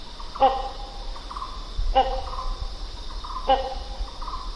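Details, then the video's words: Three loud, clipped, nasal barks from a great hornbill, evenly spaced about one and a half seconds apart, set against a continuous high buzzing drone and low rumble. "great hornbill សំឡេងសត្វគេងកងយំ"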